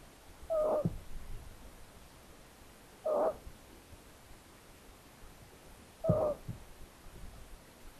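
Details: A long-eared owl at a nest in Tiszavasvári, Hungary, on 9 May 2022, with mother present after the oldest owlet fell from the nest, gives three short, mewing, mid-pitched calls about three seconds apart against a quiet hiss.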